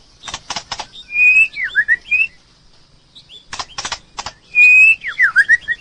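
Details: White-rumped shama delivering two short phrases, each a bright level whistle followed by quick slurred downward notes, with dry clicking ticks between the phrases.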